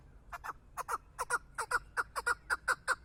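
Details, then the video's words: Chukar partridge kept for hunting gives a rapid chuck-chuck series: paired, clipped notes that slide downward, repeated about two and a half times a second and growing louder over three seconds, with no other clear sounds. "Кабки шикори"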